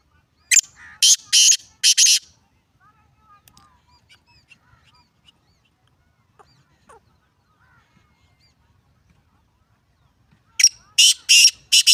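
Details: A black francolin, the local kala teetar, gives two harsh, grating phrases of four rasping notes each, about ten seconds apart, with near silence between; recorded 29 January 2024.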